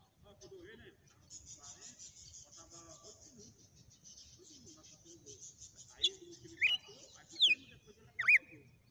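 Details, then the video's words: Red-cowled cardinal giving a sequence of song: after a quiet stretch of faint background murmur, four loud, clear whistled notes arrive about every half second, some sweeping down, others bending up. "Galo de campina na SEQUÊNCIA DE CANTO"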